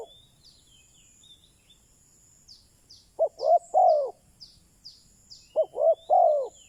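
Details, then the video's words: Decoy spotted dove calling to lure wild doves: after three quiet seconds, two low, mellow three-note cooing phrases, a short coo, a second coo and a longer drawn-out croo, over faint high chirping of small birds and a steady high hiss. "Chim cu mồi chuẩn thúc bổi, kích bổi nhanh nổi/ Burung Terkukur"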